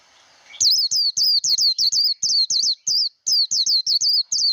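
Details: Japanese white-eye contest song, 'líu đấu' style, used to coach a young bird: after a faint hiss, a fast, even series of bright, sharply down-slurred high whistles.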